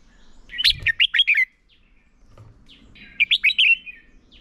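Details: Caged red-whiskered bulbul used as a decoy bird, singing in competition to train and stir other birds: two short bursts of bright, warbled, rapidly modulated notes, about four or five each, separated by a quiet pause.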